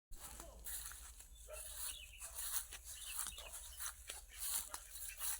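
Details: A talking myna imitates human speech, calling a name in short, squeaky, voice-like phrases mixed with harsh chatter and clicks, over a steady low hum.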